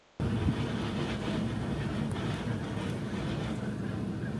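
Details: Loud low rumble of wind buffeting the microphone, like a passing train or vehicle, begins abruptly after a brief quiet start and continues without any animal sound.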